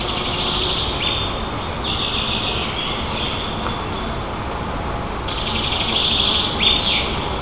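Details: White-tailed eagle at its nest in Nizhnyaya Kama National Park, Tatarstan, Russia, filmed by nest camera on 18 June 2024 as young birds tease a sibling and flap wings; two bursts of high, thin stepped squeals over steady hiss.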